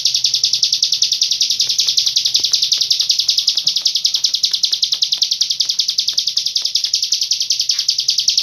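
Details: Hill prinia delivering a long-breathed song, one unbroken, high, shrill strain that runs throughout without a pause, pulsing about three to four times a second.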